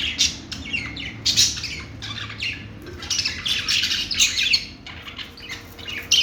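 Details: Chirping budgies, the Australian parrot, with bursts of harsh squawks and quick warbled chirps coming in clusters, loudest around the middle, over a faint low hum.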